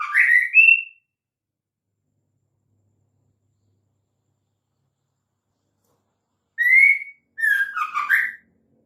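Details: White-rumped shama female calling to lure males: an upward slurred whistle, a long pause, then a rising note and a quick series of lower warbling whistles.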